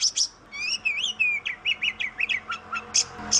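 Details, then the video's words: Oriental magpie-robin (kacer) sings a sequence of clear whistled slurs rising and falling, followed by short downslurred notes and two harsh high bursts at the end. "KICAU BURUNG KACER YANG MERDU || MAGPIE ROBIN VOICE"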